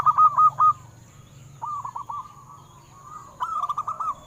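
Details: Singing local zebra dove, offered as a lure to stimulate captive doves to sing: three separate bursts of quick, bubbly coos, each a string of short, even notes with brief pauses between, over a low hum.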